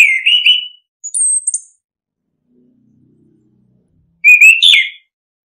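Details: Ngeplong-style orange-headed thrush song offered as a lure for reluctant singers: a wavering whistled phrase, a thin very high note, a silent gap, then a louder burst of rising and falling whistles.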